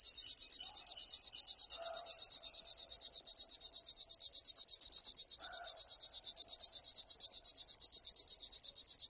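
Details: River warbler song: a dry, insect-like buzz of fast, evenly spaced pulses, about nine per second, running unbroken through the whole stretch. Faint low murmurs come and go in the background.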